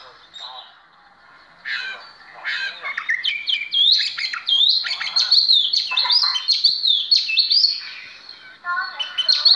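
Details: Oriental magpie-robin singing in a performance, an ordinary individual with remarkable song, begins softly with scattered notes, then builds into a long loud continuous warble of whistles, trills and slurred phrases before a brief pause and a final phrase.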